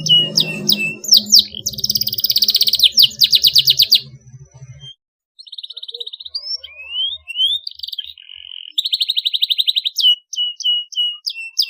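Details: Canary singing sharp rolled trills meant to stimulate young canaries: fast buzzy rolls and descending whistled strokes, a low hum beneath the first seconds, then gliding slurs and more rapid repeated notes.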